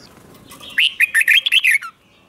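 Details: Red-whiskered bulbul, a caged songbird, singing a slow, clear doubled song played to teach young birds to copy: a quick burst of six rich warbled whistled notes, each sliding down, ending in a falling note.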